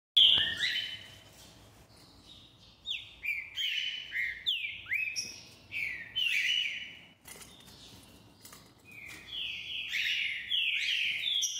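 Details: Green-winged saltator, a singing bird, delivers clear whistled phrases of rich, slurred notes, several swooping downward, in bursts separated by short pauses, with a quiet background.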